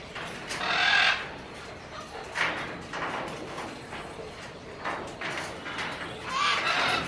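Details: Major Mitchell's cockatoo raising its red and yellow crest, kept with a lesser sulphur-crested cockatoo companion; harsh, broad screeching calls in short bursts about every one to two seconds, with a few thin whistled notes mixed in.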